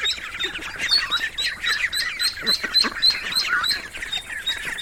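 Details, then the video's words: Ducklings peeping: many high, short peeps repeated rapidly and overlapping in a dense chorus, with occasional lower, rougher notes from the group. "The sound of ducklings"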